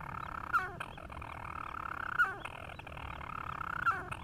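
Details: European storm petrel adult singing at its nest on Ramsey, with chick calling in the background, recorded 31 July 2016 after rat eradication; a continuous low purring churr broken by a sharp hiccup note about every 1.6 seconds, three times.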